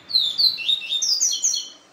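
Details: Papa-capim in Israel style after a day with a female: a lively phrase of about eight sharp, descending whistled notes, evenly spaced and bright, lasting under two seconds.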